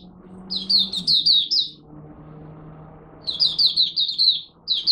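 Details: Kept Malaysian oriental white-eye opening its day with warm-up song: a short run of piercing, high tweets, a pause filled by low background hum, then a second brisk flurry of chirps.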